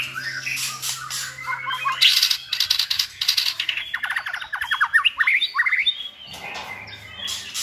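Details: White-rumped shamas kept to tutor a selected shama in varied singing; harsh scratchy bursts, then a fast run of repeated sharp whistled notes, with a quieter pause near the end.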